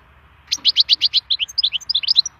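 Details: Wild European goldfinch singing: a quick run of bright, high chirps in steady succession, then a lively tinkling twitter of varied liquid notes, with a faint low hum behind.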